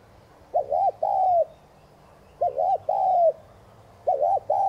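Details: Spotted dove giving urging coos, meant to stimulate newly caught doves to coo; mellow mid-pitched phrases, each a quick wavering double note followed by a longer, steady, slightly falling coo, repeated three times over a faint low hum.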